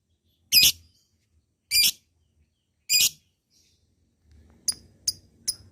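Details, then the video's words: Lovebird meant to trigger long 'ngekek' chattering in quiet birds: three loud, piercing squawks about a second apart, followed by a few shorter, thinner chirps and faint background rustling. "Suara LOVEBIRD di sukai musuh labet bahan malas bunyi akan cepat terpancing untuk NGEKEK PANJANG"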